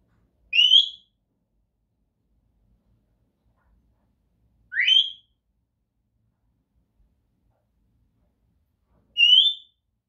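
An African grey parrot gives three clear, rising whistles, each under half a second, spaced about four seconds apart, against a quiet background.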